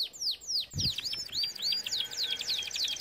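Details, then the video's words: Canary song for training birds, a string of looping down-up whistled notes about three to four per second, with one brief low thump near the start. "Most powerful song for training Canary"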